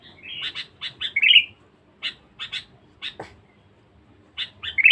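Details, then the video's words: Sooty-headed bulbul, noted as lively and fierce, for luring wild birds: a run of clipped chirps leads into a rich warbled flourish, then scattered single chips and a final bubbly phrase. "pikat kutilang bagus"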